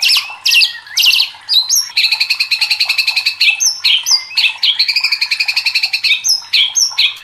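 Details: Agitated white-rumped shama pouring out a rapid buzzy trill of evenly repeated notes between loud harsh chips and short high whistles.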